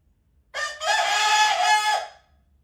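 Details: Domestic rooster acting as an alarm clock indoors in Sichuan, China, May 2025, waking its owner from bed: a short opening note, then a loud, drawn-out harmonic crow lasting about one and a half seconds in an otherwise quiet room.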